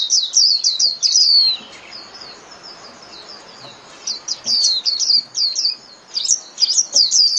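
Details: Japanese white-eye 'líu' song for training caged birds: quick runs of very high, looping chirps, breaking off into softer twitters, then resuming as a lively rapid warble.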